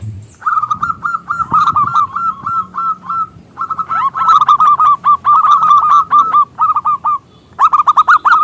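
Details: Zebra dove of a local strain, singing often with a big voice, used as a lure for other doves: long strings of rapid, rolling coo notes, almost continuous, with a short gap near the end.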